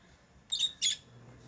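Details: Two quick, shrill lovebird chirps, each short and piercing with a thin whistled edge, separated by a brief pause.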